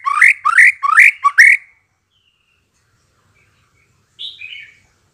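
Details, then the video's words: Shama song played to lure birds into answering: five quick rising slurred notes in under two seconds, a long silence, then a short softer warbled phrase. "memikat MURAI BATU agar NYAUT dan NGEPLONG"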